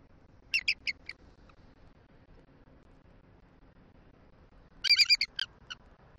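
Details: Squeaky greeting vocals between a mated pair of bald eagles at their Southwest Florida nest as the male waits to take over incubating the eggs; a short run of sharp high chirps, a quiet pause, then a louder cluster of chittering notes.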